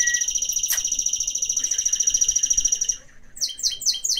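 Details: Mixed canary kept as a pet sings a long, fast, rattling roll of high notes for about three seconds, then breaks into quick, rising chip phrases repeated several times.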